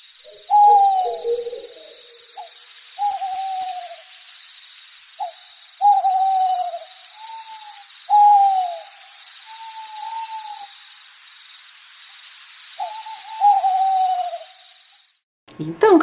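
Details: An owl heard at night gives mellow, slightly falling hoots, singly or in short pairs, every few seconds.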